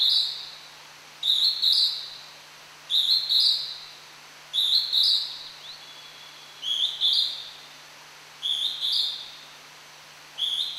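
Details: Wild Hodgson's hawk-cuckoo in song at Tokyo Citizens' Forest, Japan: a steady run of six high, shrill double-noted whistles, each pair with a slight upward lift, spaced roughly every one and a half to two seconds.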